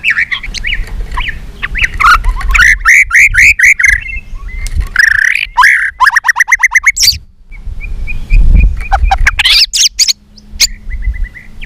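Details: Fired-up white-rumped shama in fighting song, tail flicking, many voices: loud varied whistles, fast ringing trills and buzzy repeated notes that change every few seconds, with low rumbling background noise.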